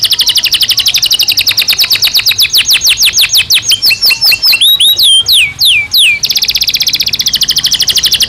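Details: Belgian canary singing naturally in a continuous stream of fast repeated notes, slowing into wider descending sweeps, twisting rising whistles, then another quick, dense high trill.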